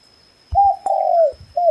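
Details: Single red junglefowl crow: a short steady opening, a long slightly descending tonal note and a short ending note. Low thumps sound before the crow over a quiet background.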